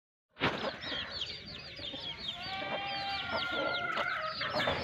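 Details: Aseel hen with her two-month-old chicks in Sindh, Pakistan. Dense high, arching peeps from the chicks chatter continuously over low, short clucks, beginning abruptly after a brief silence.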